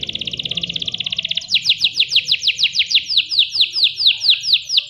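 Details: Canary song with clear voice, used as a master recording to train other canaries: a fast, even trill of rapid notes, then a slower series of loud, descending whistled sweeps repeated about twice a second.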